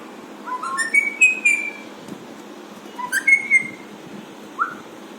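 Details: Pet Alexandrine parakeet making playful sounds: two bursts of clear whistled notes climbing in steps to a sustained high tone, then one short rising whistle near the end. A steady hiss of room noise sits beneath.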